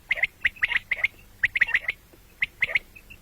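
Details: Common quail calls, morning and night: bright liquid pips in quick groups of two or three, with short pauses between bursts.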